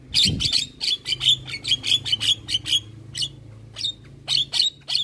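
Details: Javan myna, a champion songbird chattering nonstop. Quick harsh notes with a ringing whistle-like core repeat in close succession over a soft low hum, with brief gaps between short bursts.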